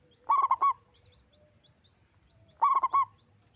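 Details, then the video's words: Two phrases of rippling, mellow cooing from a local Indonesian zebra dove known for loud, frequent song; each phrase packs about five quick notes, the last slightly drawn out. "Perkutut lokal gacor suara besar yang sering di cari"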